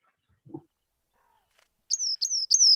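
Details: Rock Wren of Santa Barbara County giving three quick, high, slurred notes, each dropping slightly in pitch, in a rapid repeated series; a soft low thump comes just before.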